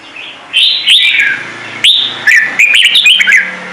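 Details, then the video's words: Bright, warbled red-whiskered bulbul song, a clear standard voice. Slurred whistles dip and rise through a run of quick notes, then a second tumbling phrase of chirpy syllables follows. "CHÀO MÀO | Trung Mang hót giọng chuẩn cực hay - Bổi nghe là hót"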